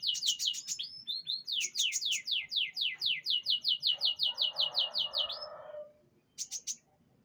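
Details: Canary singing during pengembunan: quick chirps, then a steady trill of high, sweeping notes roughly every quarter second, a harsh lower buzzy burst near the end, and two closing chirps after a pause.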